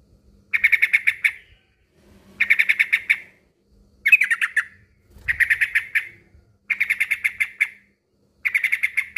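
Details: Trucukan male, the yellow-vented bulbul, calling a rival with regular bursts of fast harsh chattering, about six bursts each under a second, spaced by roughly one-second silences.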